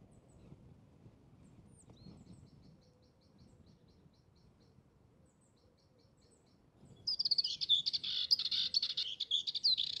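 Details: Dartford warbler song on South Downs heathland in spring, when this resident ground-nesting bird is loudest: a scratchy, rapid, buzzy warble bursting in after seven seconds of near quiet, preceded by faint high distant twittering.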